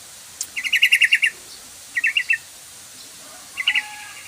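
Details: Yellow-vented bulbul lure call, intended to get a bulbul singing: a long bubbly rattle of about eight quick notes, then a shorter burst of four, then a brief three-note phrase over a thin tone.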